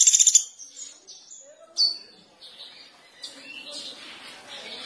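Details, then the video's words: Velvet-fronted nuthatch lure recording: a quick burst of about six sharp, very high chips, then scattered thin whistles and high twittering notes over a faint background hiss. "Pelatuk Beras Gacor"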